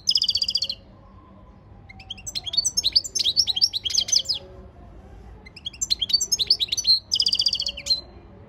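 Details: European goldfinch training song recorded 15 February 2024: bursts of rapid, high twittering and tinkling notes, several seconds each, broken by short quiet gaps over a faint low hum.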